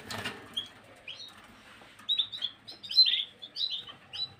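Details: Gloster canary on 9 January 2023 starting after a brief low rustle, then singing quick high chirps and short trills that grow louder toward the end.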